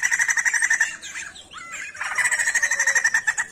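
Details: Songbird known as sijambul in Indonesia in vigorous song: a fast buzzy rattle, a short soft twisting interlude, then another long train of rapid pulsed rasping notes.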